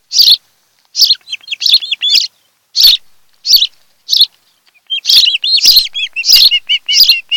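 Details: Osprey pair calling from their nest on Kent Island, Maryland, captured by a webcam in July 2018: loud high chirps mixed with quick runs of whistled notes that build into a steady, rapid chatter.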